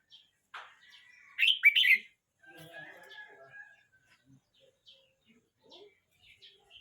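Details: Young red-whiskered bulbul, 12 months 29 days old, gives one loud, quick, rising-and-falling warbled phrase, followed by softer scattered chirps and a faint drawn-out note.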